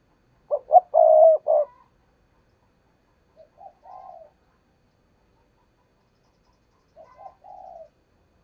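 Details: Decoy spotted dove calling in 'thúc gù' style to lure wild doves for trapping: one loud phrase of short staccato notes and a rolling coo, then two softer, lower coo phrases after long pauses.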